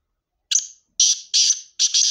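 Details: Black francolin in Sindh, Pakistan, giving harsh, grating, high-pitched notes: one rasping note, then a quick series of three more, the last one doubled, with silence between bursts.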